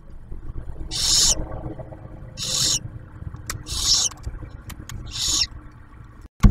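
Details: Barn owl at a nest camera at Ottawa National Wildlife Refuge near Oak Harbor, Ohio, as the male delivers food and the female shares a meal with the first hatched owlet; four breathy, hissing screeches about a second and a half apart over low rumble.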